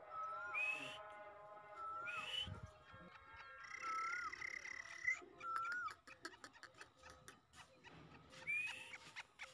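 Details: Grey francolin (teetar), described as in full spirits; a series of ringing whistled notes with upward flicks, some higher-pitched, repeated over several seconds against dense clicking and tapping.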